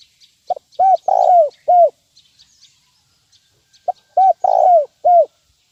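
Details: 'Nguku' lure call of a spotted dove, played to train birds: two cooing phrases of low, hollow notes with one long burry coo each, over faint scattered high chirps of small birds.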